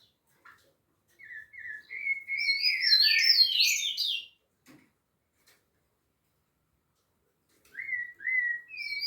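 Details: Rufous-bellied thrush singing at Piedade: phrases of clear whistled notes near two kilohertz climbing into a loud, tumbling burst of higher warbled notes, then a pause and a new whistled phrase beginning.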